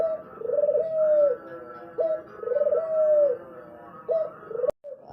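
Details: Spotted dove singing a soft, low cooing phrase: a brief note, a fast rolled stutter, then a sustained mellow coo. Repeated roughly every two seconds, with a sudden click and brief cut near the end.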